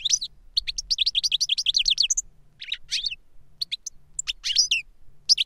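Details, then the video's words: Master European goldfinch kept for silvestrismo, singing reclamo-style song copied by a young novice bird. Fast chains of bright, sliding chirps and liquid twitters, with brief pauses between phrases over a faint low hum. "Jilguero maestro cantando reclamo y enseñando a otro jilguero novel"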